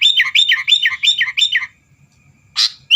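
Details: Sooty-headed bulbul in vigorous song intended to set off rival birds: five quick rolling, bouncy warbled phrases in rapid succession, a pause, then a sharp harsh chirp and a short whistle.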